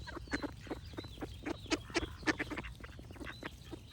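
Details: Loud, close duck quacks, nasal and rasping, delivered in a fast run of about four calls a second, with the strongest calls in the first half before the sequence eases off.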